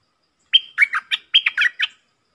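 Stripe-throated bulbul giving two quick bubbly phrases of four or five liquid, mid-high chirping notes each, close together and loud, with a quiet background.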